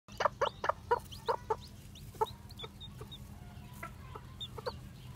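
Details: Newly hatched white black-tailed Japanese bantam chicks walking about with a hen: a run of seven loud, evenly spaced clucks in the first 1.5 seconds, then a few single low clucks and thin high peeps over a steady low hum.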